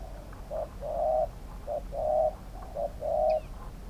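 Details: Spotted dove singing in a decoy-luring session at a trap cage: three phrases of a brief note then a longer smooth coo, moderately loud over a soft steady hiss.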